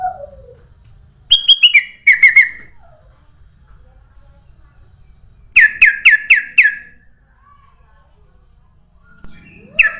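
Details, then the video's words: Ruby-throated bulbul song used to lure other birds: scattered clear notes stepping downward, then a run of four quick bubbly notes, with faint lower slurred sounds between phrases. "SUARA BURUNG KUTILANG EMAS UNTUK PANCINGAN DAN SUARA PIKAT"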